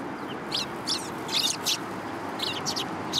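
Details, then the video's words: Sparrows in a city come to be fed, recorded 30 November 2015. Scattered high chirps arrive in small groups of two or three notes, with soft background noise between them. "想い出の都会の雀達 3 2015年11月30日 （餌を貰いに来る雀達）"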